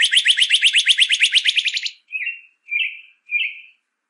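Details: Northern cardinal, tutor song for captive birds: a fast, rich trill of rapidly repeated notes for about two seconds, followed by three separate short buzzy whistled notes.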